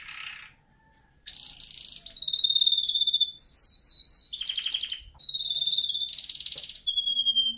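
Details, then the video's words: Training song of a canary: after a short quiet start, dense buzzy rolls, steady whistles and a series of quick slurred notes follow one another without pause. "canary singing video | the best canary training song 60 minutes"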